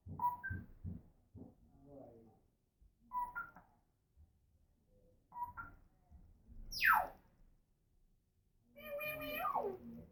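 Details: Female African grey parrot kept as a pet, talking and making noises: short speech-like syllable bursts come in clusters, then a sharp rising whistle, and finally a harmonic, buzzy call that slides downward.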